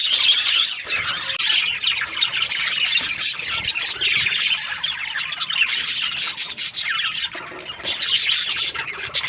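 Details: Many budgies chirp in breeding season, their high twittering chatter swelling and easing in waves over the whole stretch.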